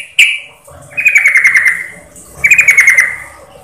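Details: Female yellow-vented bulbul calling a male, as a lure: one sharp chip, then two stuttering chattered phrases, each falling in pitch and lasting about a second.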